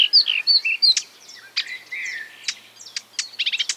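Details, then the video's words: Marsh warbler copying other species in quick fragments: swooping whistles and slurred notes, sharp clicks, then a rapid trill of high chirps to close. "A marsh warbler (Acrocephalus palustris) imitating other birds"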